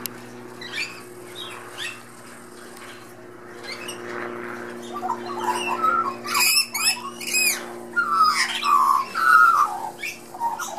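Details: Australian magpie chick in a back garden, exchanging chatter with lorikeets and blue-faced honeyeaters; soft mutterings build into loud bursts of harsh, rasping calls, then clear, slurred, warbled mid-pitched notes, repeated unevenly.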